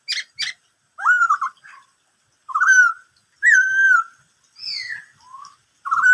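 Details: Whistled "bắt cô trói cột" song of a black-throated laughingthrush. Short sharp notes are followed by rich, slightly burry whistled phrases that hold level and then fall, and a few softer falling notes. The background is quiet.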